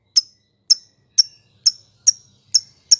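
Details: Lovebird call meant to rouse rivals and silent birds: short sharp high-pitched chirps repeated steadily about twice a second, clean with little background.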